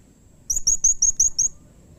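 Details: A blue-crowned hanging parrot calls to draw replies from other hanging parrots. Six shrill, high-pitched notes come in a quick even series lasting about one second, with faint low rumble behind.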